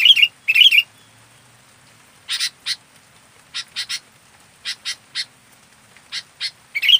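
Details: Local kutilang, the sooty-headed bulbul, singing actively: it opens with chattering whistled notes, then gives spaced pairs and triplets of harsh, scratchy notes and ends with another warbled burst.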